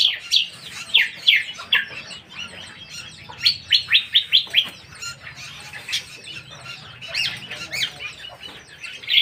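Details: Lesser green leafbird pouring out high, rapid song: runs of sharp descending whistled notes in quick series, interspersed with twittering chatter and short pauses, ending on a bright upward note.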